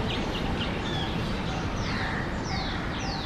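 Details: Common myna giving a run of short, high whistled notes, several sliding downward, over a loud steady background rumble.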